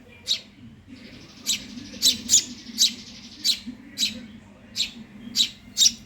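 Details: Hungry young Eurasian tree sparrow begging with loud high chirps around every half second, a thin buzzy hiss filling the gaps, steady low hum in the background.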